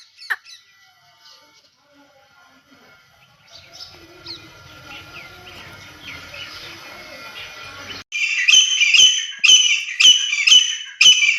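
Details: Wild female grey francolin, deshi titar, hunting sound: after faint background noise, a sudden burst of loud, harsh repeated squawks, about two per second, in the final seconds.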